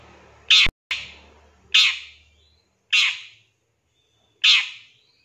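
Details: Long-tailed shrike in a lure recording meant to prompt other birds to sing: four loud, grating squawks at uneven gaps of one to one and a half seconds, each fading quickly, with a faint low hum underneath.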